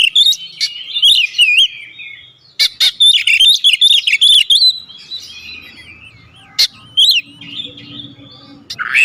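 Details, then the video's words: Oriental magpie-robin, a kept songbird, giving a full song with mimicked phrases and calling notes: rapid varied whistles and twisting, warbled trills, loud bursts separated by brief pauses, with faint low background hum. "Masteran Burung Kacer Full Isian Dengan Nada Panggilan 100% Nyaut"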